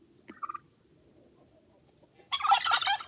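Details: Turkey giving a brief clucking note, a pause, then a long loud rattling gobble nearly a second long.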